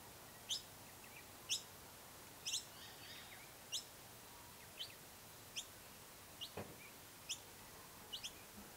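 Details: Noisy miner (Manorina melanocephala) at its nest gives sharp, high chipping notes, about one a second at an uneven pace, over a steady background hiss.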